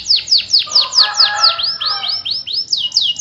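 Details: Energetic domestic canary song used to coax quiet canaries into singing: a fast series of bright, downward-sweeping whistled notes at about two per second, with a short lower warbled trill in the middle.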